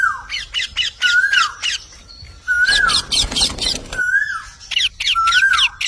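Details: Harsh squawk bursts from a parrot alternate with a clear whistle that rises, then drops. A brief rustling noise comes in the middle.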